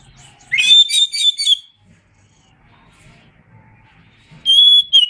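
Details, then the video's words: Caged Oriental magpie-robin singing a training song: a burst of rich, warbled whistled notes with a rising start lasts about a second, then a quiet pause, then another bright whistled phrase begins. "Masteran Suara Kacer"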